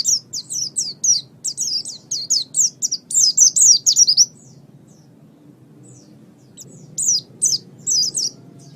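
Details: Oriental white-eye (pleci) kept as a pet, song for training other birds: a long run of rapid, high, down-slurred whistles, then a pause and a few more spaced notes, above a faint low hum.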